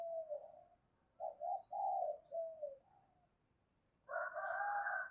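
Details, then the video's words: Spotted dove lure call meant to attract other doves, heard farther off over steady background hiss: several soft, rounded coos in a loose series, then a louder, rougher doubled note near the end. "Âm thanh chim cu gáy dùng kích bổi hiệu quả"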